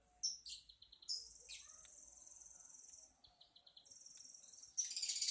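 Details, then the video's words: Lovebird's soft chatter: brief high squeaks give way to a long, even, buzzy high trill, a pause with a few chips, then another buzzing trill and a harsh, loud burst at the end. "Kicau Lovebird | Ocehan burung Lovebird"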